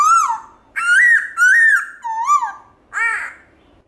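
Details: Wild-style many-voiced song of a black-throated laughingthrush, used to stimulate caged birds: a run of loud clear whistled phrases, some rising then falling, spaced about every half second.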